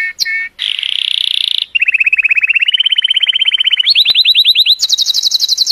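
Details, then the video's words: Cheerful colour canary in full song meant to stimulate females, moving from buzzy bursts to long rapid trills that step upward in pitch, finishing with a very high fast trill. "تغريد كناري رائع، لتحفيز الإناث"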